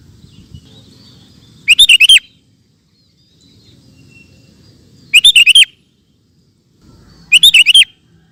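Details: Lively (gacor) sooty-headed bulbul, recorded for tutoring cage birds, gives three bubbly phrases of five quick, chortling whistled notes each, spaced roughly two to three seconds apart, with soft low rumble in the gaps.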